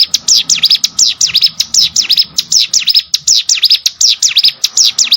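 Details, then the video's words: A hill prinia (local name cigun) sings for training of competition birds, delivering continuous, evenly paced swooping high notes, paired in quick succession, for five seconds with only a soft background murmur. "CIGUN ATAU PRENJAK GUNUNG!!! MASTERAN UNTUK BURUNG LOMBA"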